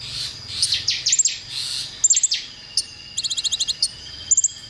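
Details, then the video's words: Konin singing on a masteran recording meant to provoke songbirds: slurred descending whistles followed by fast clusters of very high ticking notes, including a ten-note trill, with brief gaps between phrases. "masteran konin untuk bongkar emosi"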